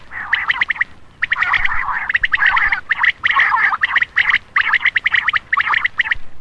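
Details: Lure call of common quail used at night to attract males: dense trains of scratchy, pulsed notes in groups of five to eight, broken by short pauses, steady and loud throughout.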